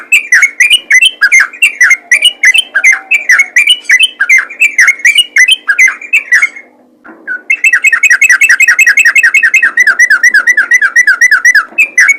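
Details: Yellow-vented bulbul in lively ropel song, intended to call other trucukan into singing. Chattering chirp phrases run continuously, break off near seven seconds, then return as an even faster, tightly spaced string of sharp notes.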